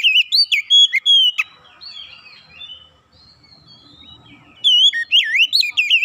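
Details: Song of an Oriental magpie-robin meant to coax a silent magpie-robin into full song. It opens with loud, rapid, sliding whistles, fades into soft twittering for several seconds, then returns to bright looping whistled phrases.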